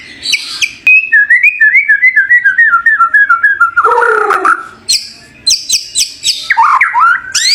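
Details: Champion White-rumped shama producing a long descending series of repeated slurred whistles, then a buzzy low phrase, sharp high chips and rising whistles.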